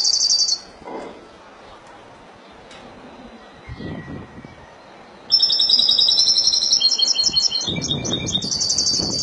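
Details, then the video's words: Spanish goldfinch in the Malaga song style. A short high burst is followed by several seconds of near silence with faint low noises. Then comes a sustained run of rapid, high, metallic twitters and trills. "تغريد الحسون الاسباني ( مالاقا)"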